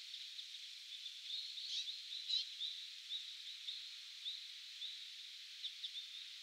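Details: Bramblings in winter 2022 give a steady, high chattering of overlapping calls, with a few brighter notes standing out now and then. No other sounds are clear.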